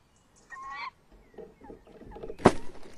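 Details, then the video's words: Tawny owl pair at a nest box on the evening of 30 May 2015, around 21:45: a short, harsh harmonic call followed by knocks and thumps, then a loud bump. "Bosuil M in de kast V buiten uilen lang te horen"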